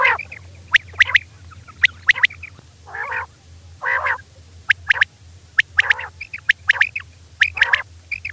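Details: A female quail calls at night with sharp high clicks in pairs and triplets, interspersed with nasal, buzzy harmonic notes at irregular spacing, over a constant low hum.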